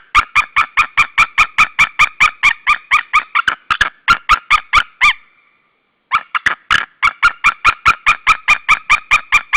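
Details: White-tailed eagle pair at their nest at Saunja, Estonia, 16 March 2013 at 12:38; one screams on the nest, the other lands on a branch and both scream together: rapid, regular yelping notes, about two per second, with a brief pause midway.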